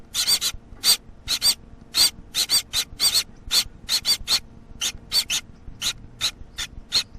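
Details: Young Gouldian finch producing harsh, scratchy bursts with a whistled high core, some in quick pairs, about two per second, then thinning out toward the end.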